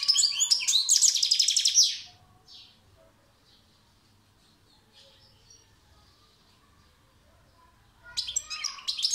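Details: European goldfinch song opens with a loud, rhythmic chattering trill of repeated tinkling notes. A long hush follows, broken only by faint murmuring notes, before a new burst of bright twitters starts at the end.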